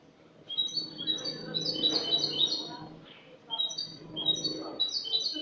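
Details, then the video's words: Clean-style song (cante limpio) of a Spanish goldfinch from last year, recorded 22 August 2018: two long runs of fast, bright, twittering high notes, with a low background hum throughout. "jilguero español cante limpio"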